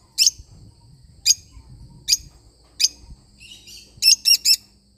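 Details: Sharp lovebird squeaks repeat at steady intervals of under a second, then a soft twitter leads into a quick burst of three shrill notes.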